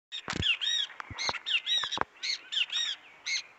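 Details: An Azure-shouldered Tanager in the woods sings a rapid run of high, squeaky, slurred notes about two per second, with a few sharp clicks and knocks mixed in.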